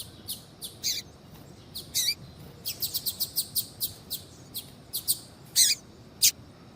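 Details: A female double-collared seedeater calls to stimulate a male's song, giving about fifteen short, high chirps, some bunched in a quick run mid-clip, others strong and isolated toward the end.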